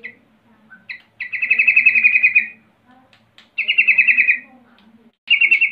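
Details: Sooty-headed bulbul 'rol' song used to taunt rival birds: a short note, then a long rolling trill of rapid pulses, a pause, a second trill, and a third starting at the end; faint low hum behind.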